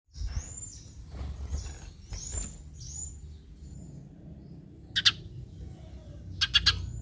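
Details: Eurasian tree sparrow calls used as a lure to set other sparrows calling. Two short, harsh chirp bursts arrive late, near the fifth and sixth-and-a-half seconds. Faint high whistled notes from other birds come earlier, over a low rumbling background.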